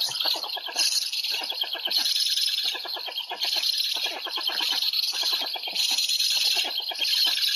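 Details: Afternoon feeding of black storks in Łódź on 20 July 2020: continuous dense, scratchy pulsed rasps, fast and uneven in rhythm, with a constant high hiss throughout.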